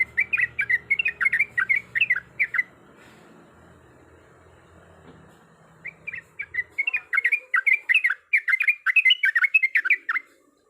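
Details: Female yellow-vented bulbul in breeding condition calling a male: two bursts of rapid, bubbly, chattering notes rising and falling, separated by a quiet pause with faint low background hum.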